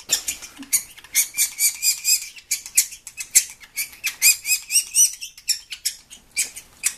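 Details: A baby sapsucker, a demanding nestling, gives a continuous, high, hissy begging chorus of harsh buzzes, pulsing about twice a second, with no other sounds.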